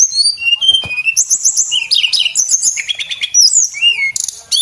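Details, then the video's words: Energetic song from a male Javan whistling thrush kept as a training tutor for cage birds: quick high whistled slurs, rapid stuttering note trains and buzzy bursts, nearly nonstop. "tledekan gunung jantan gacor buat masteran"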